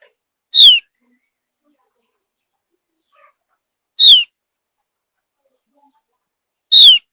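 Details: Javan grey-throated white-eye from high mountain forest, a soft chirp meant to coax other birds into answering; three short, high, downward-sliding whistles, spaced about three seconds apart, with quiet gaps between.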